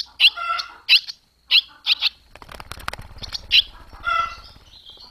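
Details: Young barn swallows fledging from the nest, 21 July 2023: bright, harmonic chirps repeated roughly every half second, separated by a stretch of wing-flapping flutter.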